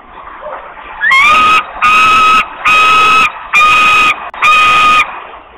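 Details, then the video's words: Young osprey in Poland, very hungry and giving long screams for food, August 2021: five drawn-out piercing screams, each nearly a second long with a slight rise at the start, evenly spaced, over quiet background. "Wika is very hungry, long screams for food"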